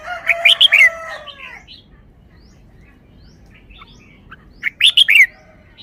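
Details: Caged red-whiskered bulbul singing in the wild-song style: two loud bursts of quick, looping whistled notes about four seconds apart, with a rooster's drawn-out crow running beneath the first burst and faint chirps between.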